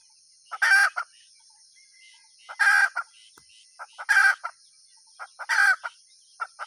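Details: Hen calling in short, harsh, squawking bursts, each with a quick lead-in note and a trailing note, repeated about every 1.5 seconds, over a steady high-pitched whine in the background.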